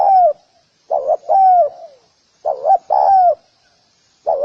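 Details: Spotted dove in close view: quick pairs of low coos alternating with longer coos that fall in pitch, about four phrases in four and a half seconds, quiet background.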